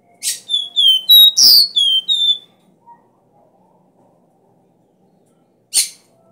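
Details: Copper seedeater (caboclinho) song in the strong 'bitola', 'dó ré mi' three-note style, played to rouse a caged caboclinho: a fast run of clear, slightly falling whistles mixed with harsh buzzy notes, then silence and one sharp closing note.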